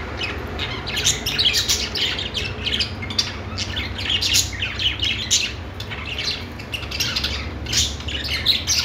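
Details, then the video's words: Budgies singing together in a thick, nonstop chatter of chirps, squawks and buzzy warbles, rising and falling in loudness, with a low hum beneath. "budgies singing | budgie sounds | parakeet chirping sounds"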